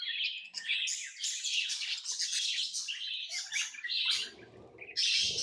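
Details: Tame lovebirds chirping continuously, a dense shrill squeaky chatter, with low rustling and thumps near the end before a final loud burst.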